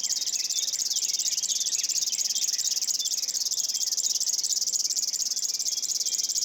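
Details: A river warbler in Estonia gives its steady, insect-like song, a high, dry, rapidly pulsing buzz, with faint notes from other birds underneath.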